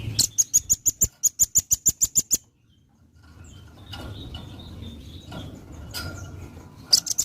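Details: Velvet-fronted nuthatch singing, a master recording for tutoring other birds: a fast string of about fourteen hard, high-pitched chips, then low rumble and a few scattered faint notes.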